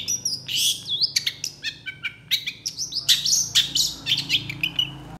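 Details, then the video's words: Aggressively responding long-tailed shrike in full mimicry song: a dense jumble of buzzy notes, rising whistles, stacked chirps and fast clicks with almost no gaps, over a steady low hum. "PENTET GACOR EMOSI CEPAT DI RESPON CENDET LAIN, MASTERAN CENDET FULL ISIAN"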